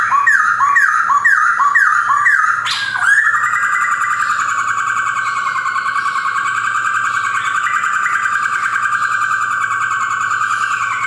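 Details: Male white-cheeked Black-throated laughingthrush (Poksay Hongkong), a kept collection bird in Yogyakarta, Indonesia, 2021, sings: about three seconds of rapidly repeated loud whistled phrases, then a long steady, slightly wavering ringing note that holds to the end.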